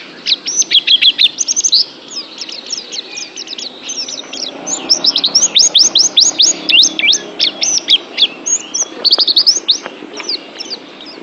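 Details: Oriental white-eye kept as a pet, singing continuously in a training recording: dense, lively twittering of very high slurred notes, quick runs of rising whistles about three per second, faint room hum underneath.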